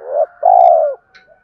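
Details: Male spotted dove giving a lure coo meant to provoke fighting and call a mate: a short low coo, then a longer, steady, hollow coo that fades out, recorded close and clear.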